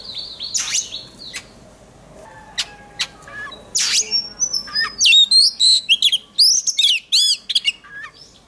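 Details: Oriental magpie-robin trained for singing contests, strong fiery voice: opens with harsh rasps and sharp clicks, then a fast run of bright, looping whistled notes repeated several times per second.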